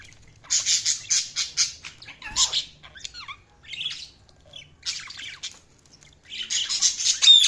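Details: Chirping budgerigars give rapid, buzzy chattering bursts in repeated pulses, mixed with squeaky whistled slides and a few harsh squawks, with short pauses between phrases.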